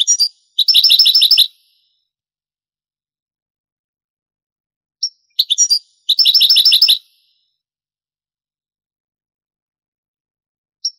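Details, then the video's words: Old 1980s–90s recording of a Granada-style Andalusian European goldfinch song: two short bursts of high, fast, tinkling twitters about five seconds apart, with a few thin single notes between them. "CANTO DEL JILGUERO"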